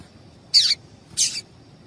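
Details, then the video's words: Close, loud pair of high chips from a female papa-capim seedeater, each slightly descending and about half a second apart, given to excite males. "Piado de Fêmea de Papa capim Para Esquentar papa capim"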